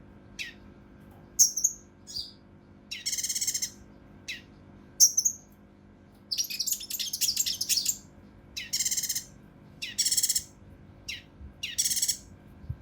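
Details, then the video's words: Mountain leaf warbler, locally cucak rante mas, giving unique rough, close-set bursts meant to train contest birds: piercing high notes mixed with longer harsh buzzy rattles, spaced irregularly. "KINOI EMOSI | TEMBAKAN KASAR RAPAT UNIK | SUARA CUCAK RANTE MAS UNTUK MASTERAN BURUNG LOMBA"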